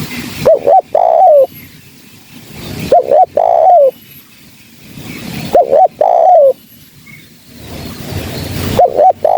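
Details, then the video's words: Spotted dove calls used as a trapping lure: each phrase opens with a quick two-part rising coo, then a longer, mellow, slightly descending coo. The phrase repeats roughly every three seconds, four times, over a quiet background. "Suara Burung Kicau TERKUKUR GACOR‼️Suara Yang Dimnati Pemikat Gacor Bersih Dan Jauh"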